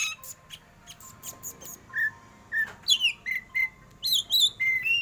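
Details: Caged black magpie-robin in 'batuk' competition style: faint high ticks, then loud whistled slurs and rough buzzy notes delivered in quick succession, several rising and falling sharply.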